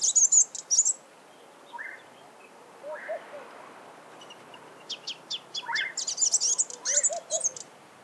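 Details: In its natural habitat a sunbird gives bright, very high twittering bursts at the start and again near the end, separated by quieter rising call notes and soft low warbles.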